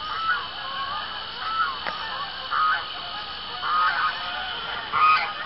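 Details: Geese honking on a pond in Arkansas around sundown on an October evening, about 7:20 p.m.; single nasal honks spaced roughly a second apart over a steady background hum.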